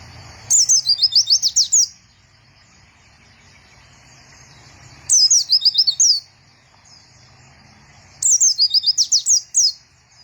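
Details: Vigorous white-eye song in three bursts, each a fast, high, jingling series of short slurred notes lasting about a second, repeated roughly every three seconds with quiet gaps between.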